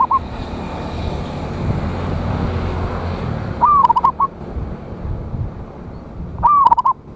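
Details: Local zebra dove singing loudly to provoke rivals: two short phrases, each a rising then falling coo followed by quick stuttered notes, separated by a long pause over steady background hiss and low rumble.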